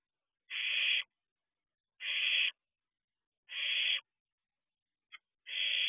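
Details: Barn owl chick in a nest box at night, 2 June 2023, looking out; four steady rasping hisses about one and a half seconds apart, with a brief sharp tick just before the last.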